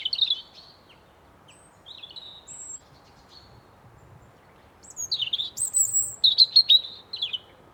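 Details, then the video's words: Birds in a forest give scattered thin, high chirps and short whistles, then a livelier burst of rapid twittering near the end, over near silence. "Forest Ambience Birds Chirping"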